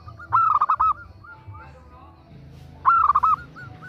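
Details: Female perkutut, or zebra dove, calling a male: two short, loud clusters of quick bubbling coos about two and a half seconds apart, with faint single coos between.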